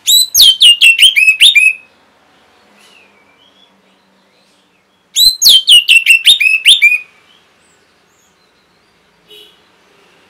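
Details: Orange-headed thrush song for training caged birds: two fast bursts of about nine sharp, high, downslurred notes each, roughly five seconds apart, with a faint soft note near the end.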